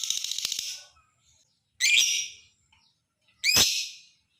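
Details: Lovebird chatter used as a lure to make other lovebirds call. A pulsed, shrill opening burst, then two harsh, screechy squawks with a slight upward sweep, spaced about one and a half seconds apart.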